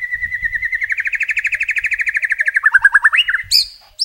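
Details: Murai batu (white-rumped shama) delivering a long, steady rattled trill of evenly spaced notes, speeding and dropping in pitch near the end, followed by a couple of sharp high whistled notes.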